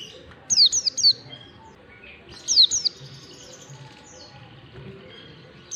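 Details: Training lure of an Oriental white-eye singing ngalas: two bursts of rapid, high descending whistles in threes and fours, two seconds apart, followed by a few faint soft notes.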